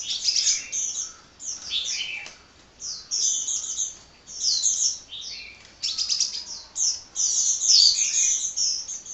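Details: Restless high-pitched twittering from a hummingbird (kolibri) that sings without stopping. Dense clusters of thin chirps, slurred whistles and sharp trills repeat in bursts of one to two seconds, separated by short gaps.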